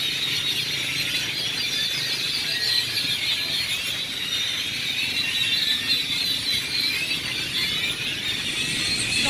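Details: Gathering of many grackles in a coastal Mexican village square at Celestun, birds that were fed each morning; a constant shrill din of whistled, squeaking and rising calls overlapping throughout, no single voice standing out.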